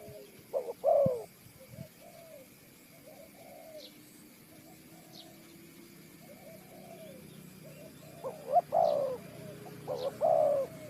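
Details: Spotted dove near a bird trap, Ninh Thuận: a clear three-part coo phrase at the start and two more near the end, short notes then a longer sliding coo, with fainter cooing and a low hum between.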